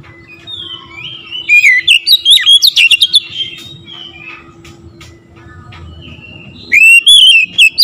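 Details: Oriental magpie-robin song used as training audio to provoke other magpie-robins into singing: soft distant warbling, then loud rapid whistled and chattering phrases, a quiet stretch, and another loud burst near the end over a steady low hum.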